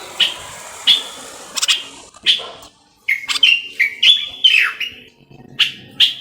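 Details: Common bulbul, called the Moroccan bulbul, singing: loud, clear whistled notes, some short and sharp, others slurred and falling, given in separate bursts with brief pauses and then a quicker run of varied phrases.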